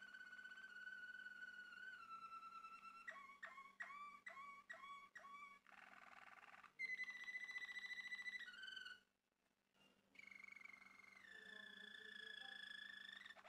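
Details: Long song from a male Malinois Waterslager canary. A low flute-like tone leads into hollow, gurgling water-like notes, then buzzy bubbling and a bright rolling trill. A brief pause follows, then mellow whistled rolls that step between pitches.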